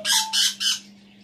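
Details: African grey parrot kept as a pet, sitting on a chair and vocalising alone: three loud, harsh, broadband squawks in quick succession, each roughly a fifth of a second, then fading, with a low steady hum beneath.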